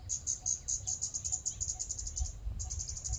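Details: Rapid, almost continuous string of high, thin ticking notes attributed to a scarlet-backed flowerpecker in a public park, with a brief break before resuming; low rumble underneath.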